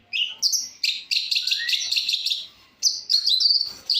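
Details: Long-tailed shrike in full variation song. An almost continuous, busy stream of high chattering and twittering notes includes one rising slur. A short break comes just before three seconds, then another rich, rapid phrase follows.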